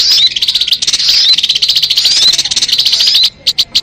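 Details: Crested jay, lure recording: a loud, unbroken high rattle with a few whistled slurs inside it, stopping abruptly, followed by three separate sharp clicks.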